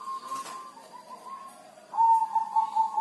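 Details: Zebra dove kept at home, singing rarely in the rainy season: a soft coo, a pause, then a louder, steady, finely trilled coo lasting about a second.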